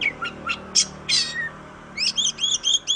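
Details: Oriental magpie-robin singing for a training recording meant to stimulate other birds: a few short sharp chirps and a falling whistle, then a rapid run of bright, wavering whistled notes.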